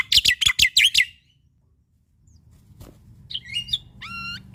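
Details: Male Javan pied starling singing a full, varied song used as a training recording for young starlings: a quick run of six harsh, buzzy chattering notes, a pause, then whistled notes and a rising, wavering whistle.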